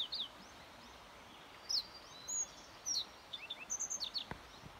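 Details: A yellow bunting singing, 29 May 2021: scattered single high slurred notes, then a closing rapid series of short bright chips, all thin and high-pitched above a faint even hiss.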